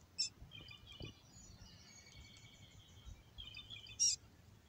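Black-capped chickadee calls: a sharp, very high note opens and closes the sequence, with thin twittering and short buzzy phrases between over a soft background hush.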